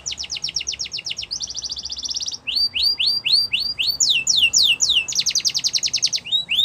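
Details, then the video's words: A Yorkshire canary sings a song used to train young canaries: quick pulsed trills, a run of rising whistled slurs, then another dense rattle and more upsweeps, delivered without pause. "The Best Canary Training Song | Yorkshire Canary Singing"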